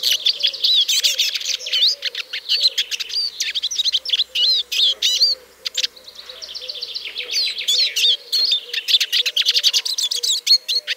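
A Eurasian siskin sings a fast, continuous twittering of high trills and wheezy notes, with brief pauses, over a faint low hum.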